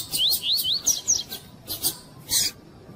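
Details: Female Double-collared seedeater (coleiro tui-tui) calling to stir up the male: a quick series of five high, thin, rising whistled notes, then a few harsher buzzy chips and a pause.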